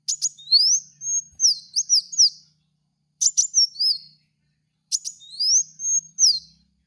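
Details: Sunbird called kowul or kolibri kaca, played as a lure for cage birds: three phrases of sharp ticks and swooping high whistles, each about two seconds, separated by brief silences; clean recording.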